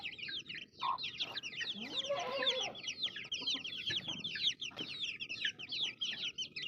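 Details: Baby chicks chirp nonstop, high, quick overlapping peeps filling the recording, with some rougher lower sounds faintly underneath.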